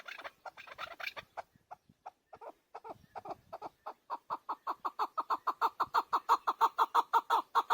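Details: Chukar partridge (Alectoris chukar) call: scattered clucks that speed up into a steady, loud run of hoarse, rhythmic 'chuck' notes, about three a second, with nothing else clearly heard.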